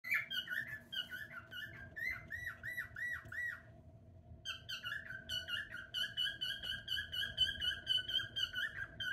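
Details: A male pet cockatiel, one of three kept together, sings in rapid, warbling whistles, with chirps repeated about twice a second.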